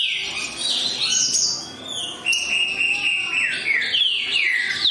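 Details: Green-winged saltator giving sustained level whistles followed by sharp falling slurs, bright and loud, with faint chatter behind.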